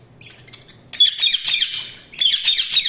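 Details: Budgerigars chirping indoors: dense bursts of high, scratchy warbling chatter with short squawks, in two loud runs separated by a brief quieter pause.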